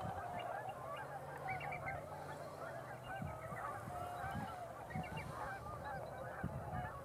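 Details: Large numbers of tundra swans gathering on a pond in darkness after flying in during twilight; continuous overlapping bugling and whooping calls from many birds, some drawn-out clear notes, over steady low background rumble.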